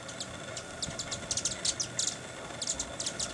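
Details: Broad-tailed Hummingbird giving thin, very high call chips, single or in quick bursts of two or three, at Sandia Crest, Sandia Mountains, on August 7, 2011, over a faint steady hum and low outdoor rumble.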